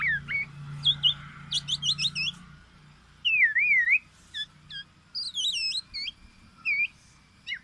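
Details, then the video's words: Distinctive black-naped oriole calls: clipped whistles and quick stacked chirps, then a wavering looped whistle and scattered short hooked notes, with a low steady hum beneath. "SUARA BURUNG KEPODANG EMAS YANG KHAS"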